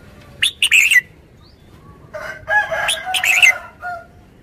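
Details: Red-whiskered bulbul singing short, rich warbled phrases, a quick pair early and a longer run of bubbling notes later. A lower, harsher voice mixes in near the middle.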